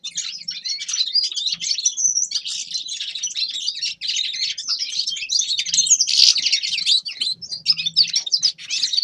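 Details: Grey-crowned goldfinch singing: a dense, unbroken run of fast twittering and chattering notes with scratchy buzzes and bright whistled trills, high-pitched and jumbled, lasting the full nine seconds with no other sounds.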